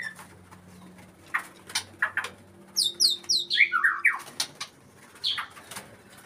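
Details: Breeding-condition white-rumped shama: a quick cascade of bright notes stepping steadily downward from very high to mid pitch, framed by scattered chirps and clicks over a low background hum.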